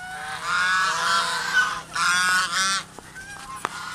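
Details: Geese at a pagoda in Kean Svay, Cambodia, a flock's leader chasing the person recording; loud harsh nasal honks in two bursts, the second ending near 2.8 seconds, followed by quieter clicks and rustling.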